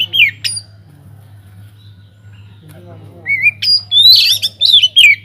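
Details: White-rumped shama singing in an aviary, intended to coax other birds into song: a short harsh note, a long quiet stretch, then a rising whistle leading into loud rapid warbling and chattering; faint low hum throughout.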